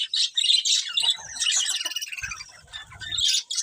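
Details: Several colourful budgerigars chirping: dense, high twittering chatter with overlapping bright notes, loudest at the start and again near the end, softer murmuring in between.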